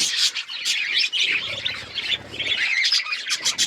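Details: Several budgerigars keep up a steady high twittering, mixing warbled notes with sharp squeaks and a few thin whistles.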